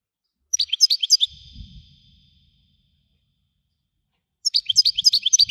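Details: Widani-style song of a European goldfinch: two short bursts of rapid, high, liquid twittering with a pause between them and a soft low thump in the gap.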